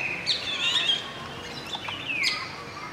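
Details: Golden oriole, adult male singing among a juvenile and two females, heard from a window at Masab Tank, Hyderabad: a short run of clear, slurred whistles sliding downward, with a few sharp higher chirps and faint background hiss.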